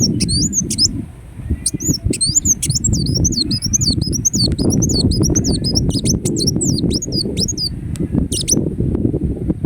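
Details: Ruby-cheeked sunbird, known in Indonesia as kolibri wulung, gives a long run of sharp, high, zigzagging twitters in rapid succession, nearly continuous for eight seconds, over a steady low rumbling background noise.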